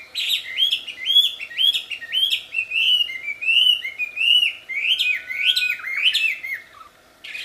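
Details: Melodious, loud wambi song in the wild: steady string of clear, bouncing whistled notes, roughly two per second, stepping gradually downward in pitch.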